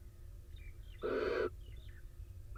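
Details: Barn owl in an Israeli nest box on a rainy day, the wet male having just rejoined the incubating female; a single half-second harsh hissing screech, with faint high bird chirps before and after.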